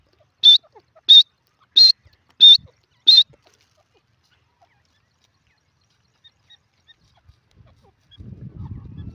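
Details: Five sharp, high-pitched notes from a grey francolin in the jungle, evenly spaced about 0.65 seconds apart, then silence and a low, rough rumbling noise near the end.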